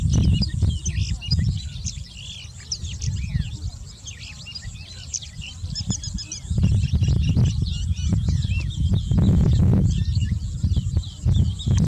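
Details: A Sykes's (tawny) lark singing a fast, jumbled run of high chirps and twittered notes, almost without pause, over a heavy low rumble of wind and a few clicks.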